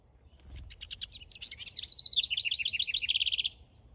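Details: Male house wren building a nest in a backyard, singing a bubbling song: scratchy notes rising into a fast run of rapid trilled, warbling phrases that end in an even rattling series, loud and clear over quiet background.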